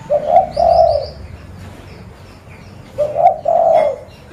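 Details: Zebra dove from Pidie, Aceh, Indonesia, a local bird kept as a lure: two short phrases of mellow, trilled cooing, each made of two or three quick notes, separated by about two seconds of quiet.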